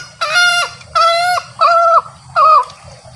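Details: A male green junglefowl crowing, a call used to lure junglefowl when hunting or to stir captive birds: four loud, nasal, harmonic notes, each about half a second long and under a second apart, over a faint low rumble.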